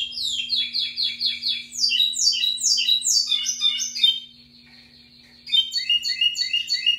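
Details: Lined seedeater, known locally as pico plat, singing strongly: fast runs of bright descending whistled notes and buzzy trills, a short pause mid-phrase, then more rapid repeated chirps; steady faint low hum underneath.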